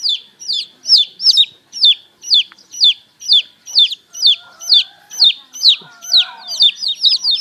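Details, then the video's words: Chicks at morning peep in a regular run of shrill, falling whistles, roughly two each second, while a soft, lower wavering tone drifts in during the second half. "เสียงลูกเจี๊ยบ🐥ลูกไก่ร้อง เจี๊ยบ..เจี๊ยบ chick sound"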